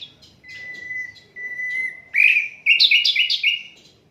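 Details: Asian brown flycatcher master song, unedited: a long level thin whistle, then a rising note and a fast twittering run of chirps.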